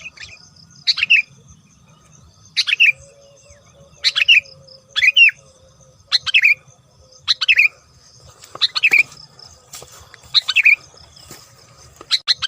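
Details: Spaced calls of a sooty-headed bulbul used as a lure for bulbuls: brief, liquid, downward-sliding phrases about every second or two, with a steady faint hum behind.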